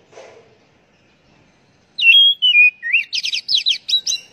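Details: Kacer, the oriental magpie-robin, singing to spur captive birds into song: after near silence, a sweet falling whistle, a rising upslur, then a quick jumble of chattering, trilled notes.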